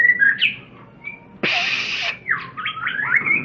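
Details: White-rumped shama singing actively. Clear whistled notes and sliding phrases are cut by a loud, harsh burst of noise lasting under a second, after which quick rising and falling whistles resume.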